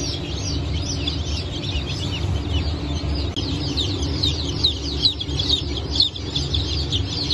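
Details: Newly hatched chickens of four breeds, Brahma, Phoenix, Sultan and Appenzeller, 9 May 2024, cheeping in a thick high chorus of short downward notes, with a few soft knocks and a low hum beneath.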